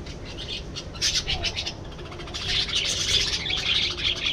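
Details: Budgerigars heard in a burst of rapid chirping and chattering, high and scratchy, with short squawks and overlapping calls from more than one bird.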